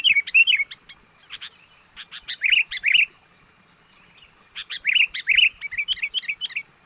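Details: Sooty-headed bulbul lure call, used to draw wild birds in, described as energetic. Two bursts of bright, bubbly chirps and quick warbled notes, separated by a pause of about a second.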